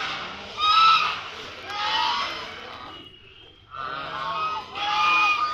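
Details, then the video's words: Ducks calling loudly together, a continuous chorus of overlapping raspy, nasal honks that swell and fade, with a brief quieter gap partway through. "ducks are creating loud noise"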